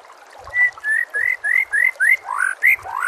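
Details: White-rumped shama master song for training birds: eight clear, rising whistled notes repeated about three times a second, the last few lower and broader.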